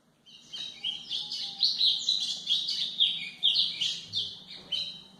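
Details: White-throated seedeater singing a song used to train young birds: a fast, unbroken stream of high twittering and buzzy notes, phrases swelling and fading about twice a second for over five seconds.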